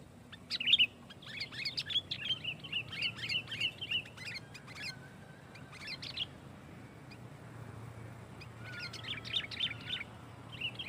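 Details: Loud, tightly packed sooty-headed bulbul song used to press opponents and provoke other bulbuls; long busy chattering phrases of warbled chirps, a pause, then a fresh burst, with a thin faint whistle drifting underneath.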